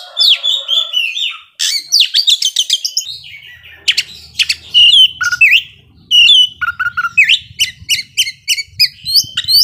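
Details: Oriental magpie-robin singing to provoke slower birds, alternating clear sweeping whistles with rapid harsh clicking bursts and a closing run of evenly spaced sharp notes.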